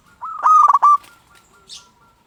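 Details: Local zebra dove singing as a lure to provoke other zebra doves to sing: one loud, distorted phrase of rapid wavering coos on a single pitch, followed by a fainter short note.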